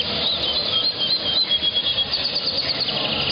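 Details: A canary × yellow-fronted (Mozambique) canary hybrid sings thin, high whistled phrases, ending in a quick run of repeated notes, over steady rustling and fluttering noise in a small room.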